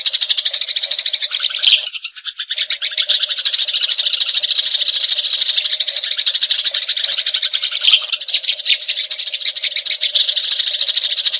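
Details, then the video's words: Eurasian tree sparrows in a fight, pouring out long rolls of rapid, scratchy chirps that break off briefly twice and resume, used to train magpie robins' song; a steady low hum runs underneath. "Gereja Tarung Ngeroll Abis"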